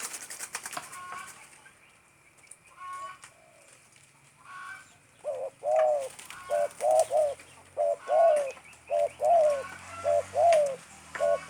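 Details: Stuttering 'gagap' coo series of a tame spotted dove (tekukur): after scattered twittering from other birds, a long string of low, hollow coos in broken, stammering groups, roughly one per second.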